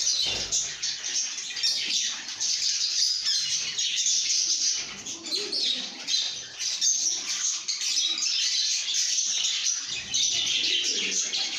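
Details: Several lovebirds chatter happily, a steady stream of shrill overlapping chirps and squeaks throughout, with occasional quiet lower purring tones beneath.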